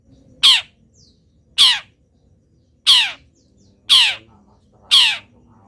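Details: Long-tailed shrike, a local bird in full, lively voice, its song said to be filled with imitations of wild birds. Five loud, harsh, rasping squawks, each sweeping downward, repeated about once a second over a quiet background.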